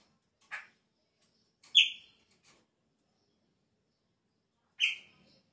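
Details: Chopi blackbird singing at the start of the season, when its song changes: three separate loud, sharp whistled notes, each dropping in pitch, with long silent gaps between them.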